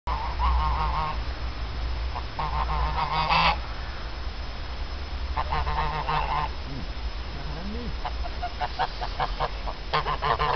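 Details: Two geese, later killed, one by a fox and one cooked, give bursts of nasal, harmonic honks in several groups over a steady low rumble, with quieter gaps between the calling spells.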